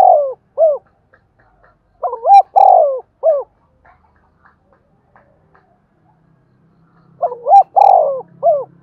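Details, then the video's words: Spotted dove in the 'giọng đồng' singing style, kept to lure and provoke wild doves. It gives three full coo phrases with long quiet gaps. Each is a soft doubled lead-in, a rich drawn-out coo and a brief final note, with faint low hum in the background. "Cu gáy giọng đồng dùng dụ và kích chim giọng thổ hiệu quả"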